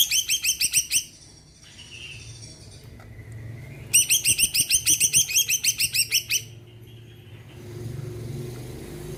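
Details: Greater green leafbird in full song to prompt other birds to sing: a short burst of rapid sharp notes, a soft whistle, then a run of about fifteen quick ringing notes, with a faint background rumble.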